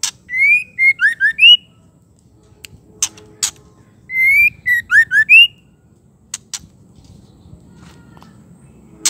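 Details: A female white-rumped shama utters a call meant to make males agitated. Two runs of five whistled notes, level then dipping then rising, about four seconds apart. Sharp clicks punctuate the quiet stretches.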